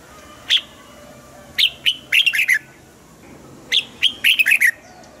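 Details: Caged red-whiskered bulbul, song played to excite other caged birds: a lone sharp note, then a rapid burst of bright chirping syllables, repeated in two similar phrases over a steady background hiss.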